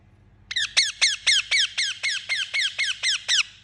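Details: Rapid run of about twelve rasping, downslurred chirps from an Indian ringneck parakeet, delivered steadily at roughly four notes a second over a faint low electrical hum.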